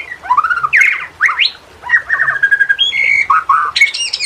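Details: Murai batu, the white-rumped shama, singing in a training recording meant to coax reluctant birds to sing: rich whistled slurs and quick chattering notes follow one another with barely a break.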